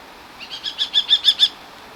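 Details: Hovering common kestrel calling during a hunt: a single quick series of about eight piercing, repeated notes that grow louder toward the end, set against a low steady hiss.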